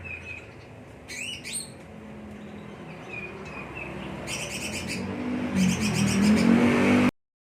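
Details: Green leafbird delivers short bursts of fast, sweeping chirps and rattling notes with quiet whistles between them, while a rising engine-like roar grows louder in the background.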